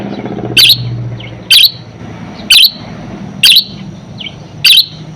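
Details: Budgerigar song used as a lure and master recording for training other birds: loud sharp chirps repeated about once a second over a low room hum.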